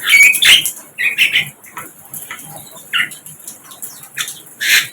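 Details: A wild flycatcher sings in natural surroundings in Indonesia. Varied bright notes, some whistled and some harsh, come in quick irregular bursts separated by short pauses.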